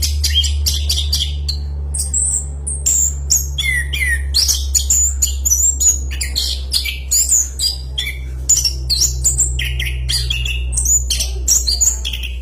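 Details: Rapid, loud song of an orange-headed thrush, anis kembang, delivered as a long unbroken roll of sharp high whistles, trills and chirps changing phrase every moment, over a constant low electrical hum.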